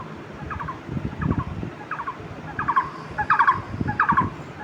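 Blue-throated Barbet giving loud, rolling, throaty notes repeated about every two-thirds of a second, building slightly, over low background rumble.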